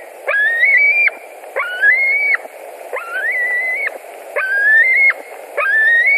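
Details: White-tailed eagles calling at a nest in Latvia, July 2020 evening, as a parent returns with dinner; a regular series of five sustained whistled notes, each gliding upward and cut off abruptly, over steady background noise.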